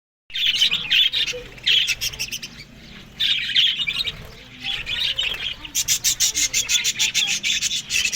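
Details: Australian budgerigars eating green food in the morning, giving bursts of harsh, buzzy chatter with squawks in rapid pulses, then a run of fast clicking, rattling notes toward the end.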